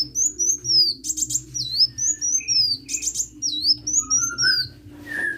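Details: Sunbird singing vigorously (gacor): rapid series of high, thin whistled notes sweeping down and up, interspersed with short buzzy trills, over a steady low hum.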